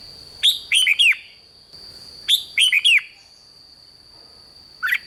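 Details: Red-whiskered bulbul singing, recorded in Thailand to rouse caged birds: two lively phrases of clear, swooping notes roughly two seconds apart, then a short single note near the end; a constant high-pitched hum persists.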